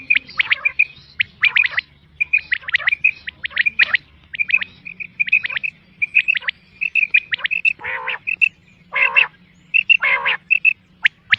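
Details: Quail calls from a recording used for hunting: rapid clusters of sharp chirps near 2 to 4k, some whistled notes repeated in quick series, with a few broader buzzy bursts, faint low hum underneath.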